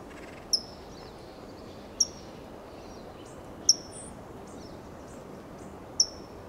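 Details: California towhee foraging on the ground in Del Monte Forest, California, giving four sharp, high, metallic "tsip" chip notes, spaced irregularly one to two seconds apart, over a steady low background hiss.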